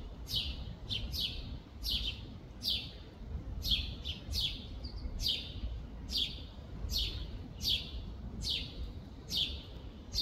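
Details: European robin in Tivoli Landscape Park, Ljubljana, 24 June 2024, giving thin, high notes that slide downward, repeated roughly once a second, over a steady low rumble of distant traffic.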